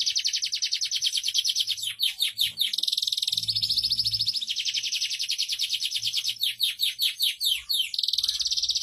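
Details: Vigorous canary song intended for tutoring other canaries: long, dense rolling trills of high buzzy notes change pace several times, broken by short runs of separate downslurred chips.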